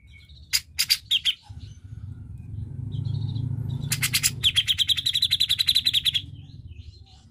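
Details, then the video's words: Cucak jenggot, a bird used to prompt a lazy bird into song: a few sharp chirps, a soft whistle during a low rumble, then a long rapid chattering run of evenly repeated notes. "Pancingan Cucak Jenggot Malas Bunyi"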